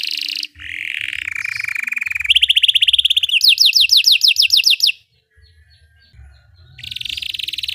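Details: Belgian canary song used as training for canaries: a varied sequence of rolling trills, a steady buzzing roll, then rapid falling whistles, a pause, and another buzzy trill.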